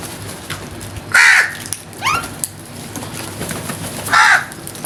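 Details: Crows giving loud, harsh caws, one near the start and one near the end, with a fainter hoarse call between them and quiet outdoor background.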